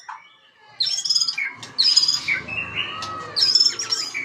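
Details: White-rumped shama lure song for stirring other birds to sing: three loud bursts of mixed high whistles and harsh chattering, separated by brief pauses, over a faint low background hum.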